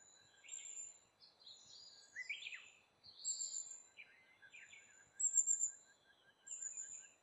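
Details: A brown-eared bulbul (Hypsipetes amaurotis) visiting to eat fruit gives loud, shrill squeaks and sharp down-slurred notes in quick bursts, with thin high chirps from other birds over a soft outdoor hiss.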